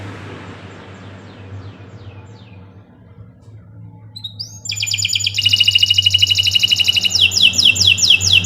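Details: Canary song for training other birds: faint distant slurred notes and hum at first, then a rising whistle followed by a loud fast rolling trill and repeated sweeping notes.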